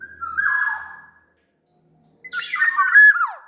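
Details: Active singing from a big-bodied Sumbawa kepodang: a smooth fluty whistle phrase with a falling tail, a pause, then a livelier phrase of twisting, slurred whistles ending in a steep downward glide.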